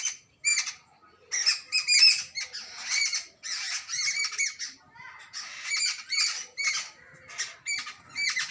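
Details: Jungle babbler adults and babies making loud, grating, squeaky chatter: rapid runs of harsh nasal bursts with brief pauses, close and clear against a quiet background.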